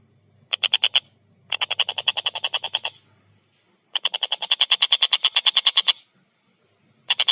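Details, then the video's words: Collared kingfisher (tengkek buto) in lively voice, clear and rapid: several bursts of rattling, harsh notes. A short burst is followed by longer runs separated by pauses, over a faint low hum. "Masteran Burung Tengkek Buto Gacor Suara Jernih Speed Rapat"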